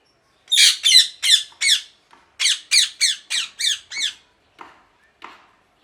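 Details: Parrot giving a series of harsh, raspy squawks, about ten loud notes in two quick bursts separated by a brief pause, followed by a couple of fainter calls; no other sounds.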